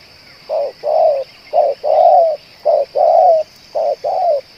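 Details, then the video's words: Spotted dove, a bird that keeps calling and cooing for two hours and is used as a lure bird, giving low hollow coos in pairs: a short note, then a longer one that falls slightly, repeated about once a second. "BL ini tahan bunyi dan menguku 2 jam‼️ cocok untuk di jadikan pikat"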